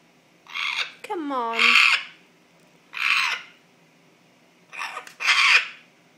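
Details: Pet African grey parrot making a strange noise its owner cannot explain: four harsh, raspy, broadband bursts about a second apart, with a woman coaxing it softly in the background.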